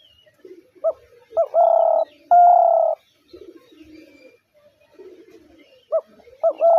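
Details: Spotted dove delivering one complete phrase of a short rising note and two long, steady coos, with soft low murmuring between and a new phrase beginning at the end.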